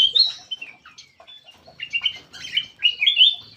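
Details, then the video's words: Lure call of a black-crested bulbul, a run of sharp chirps and short slurred whistles that builds into a louder, dense burst of fluty notes toward the end. "SUARA PIKAT KUTILANG EMAS"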